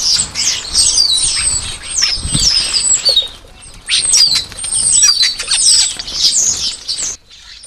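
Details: Starlings jostling at a garden bird feeder over food, with two long bouts of shrill, slurred whistles and squeaky chatter separated by a short pause, heavy wing flapping mixed in, then quiet at the close.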